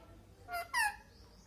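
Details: A pet Indian ringneck parrot (Mitthu), just called with "Mitthu aao", gives two quick, nasal, voice-like syllables, the second louder and slightly falling, over a quiet room hum.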